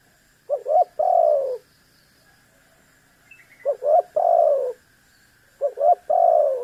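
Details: Spotted dove cooing to provoke a rival; three phrases about two and a half seconds apart, each a rapid pair of short notes then a sustained, downward-gliding coo, with a faint steady hum behind.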